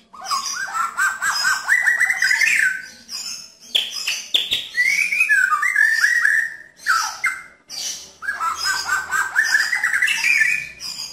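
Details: White-rumped shama in 'nembak' style, rough and clear, played to help a shama that no longer sings; rapid stuttering runs of rising whistled notes alternate with long fluted slurs, in several bursts.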